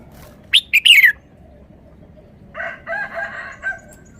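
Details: Caged red-whiskered bulbul showing off its sweet three-syllable song style: one loud, bright phrase of three quick whistled notes sliding downward, followed by a softer, lower warbling chatter, in quiet surroundings.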